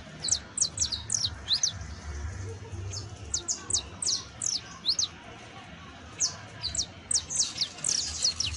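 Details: Song of a juvenile saffron finch: clusters of high, thin down-slurred chirps delivered in short bursts with brief pauses, over faint low rumble.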